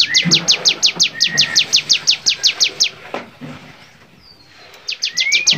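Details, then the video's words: Bar-winged prinia in full song, recorded to train songbirds: a long burst of about fifteen quick, sharp downslurred notes, then near silence with a soft whistle, and a fresh burst starting at the end. "masteran cigun gacor variasi"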